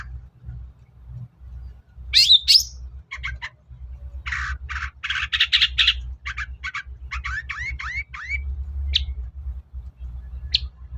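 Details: Long-tailed shrike lure song meant to make reluctant birds sing: a harsh squeal, rapid clicking rattles, dense scratchy chatter, then quick upward-slurred chips and two isolated notes, over a constant low rumbling hum.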